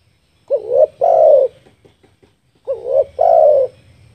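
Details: Spotted dove lure call used for trapping: two clear, loud phrases, each a short rising hooting coo followed by a longer, steady falling coo, separated by about two seconds of near silence.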